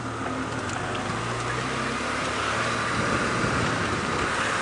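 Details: A vehicle engine drones steadily through a sunrise safari drive, with broadband rumble and no clear animal calls.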